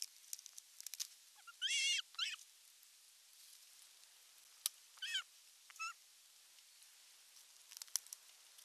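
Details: Male osprey arriving at a nest in Western Finland with a big fish, July 2022: a pair of rough, quavering whistled calls early on, later two softer, shorter chirps, with faint clicks and ticks throughout.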